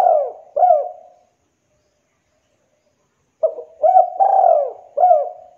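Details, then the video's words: Local spotted dove singing frequently in an elaborate rhythm, used to tutor young doves: deep hooting coos with short rising-then-falling notes. Four phrases arrive in two bursts, split by about two seconds of silence. "TEKUKUR Lokal Gacor Irama Mewah"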